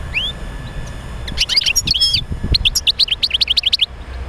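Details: European goldfinch song used to get other goldfinches singing, a dense run of bright, rapid tinkling notes after a rising whistle, ending in about a dozen quick, evenly spaced chirps; faint low rumble underneath.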